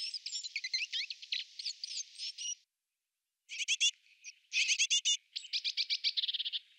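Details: European robin during courtship, the male feeding his female, giving thin, high, rapid twittering phrases in quick bursts, broken by a brief pause; no other sounds stand out.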